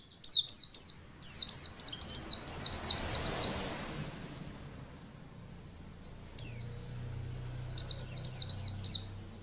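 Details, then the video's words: A female white-eye's song, used to provoke males into singing: quick bursts of thin, very high downslurred notes, several each second, pausing mid-way and then resuming, over a soft background hiss. "masteran pleci untuk merangsang bunyi pleci ombyokan"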